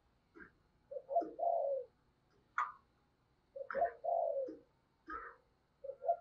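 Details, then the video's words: Spotted dove used as a decoy bird to provoke wild doves, singing in the "giọng sấm" (thunder voice) style: two short low coos then a drawn-out hoarse coo, with the phrase repeating about every three seconds; faint higher notes in between. "Tiếng Chim Cu Mồi Gáy Hay, Mở Lên Kích Bổi Cực Nhạy"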